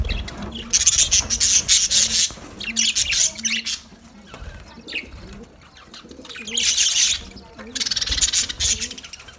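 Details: Loud bursts of high, rapid budgerigar chatter from a colony come in waves separated by quieter spells, and soft low hooting notes repeat beneath them.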